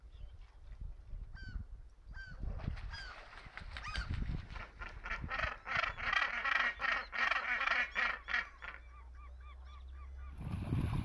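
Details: Northern gannets in a bird rescue centre on Texel in spring, in courtship display, clattering bills together and making loud throat calls: a fast pulsing series of harsh rhythmic calls, with sharper single notes before and after.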